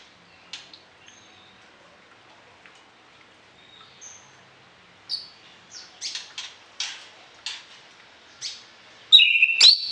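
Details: Orange-headed thrush singing with varied fill-ins, a recording meant for training other birds morning and evening. A run of short, sharp chips, roughly two per second, ends in a loud, ringing whistled phrase.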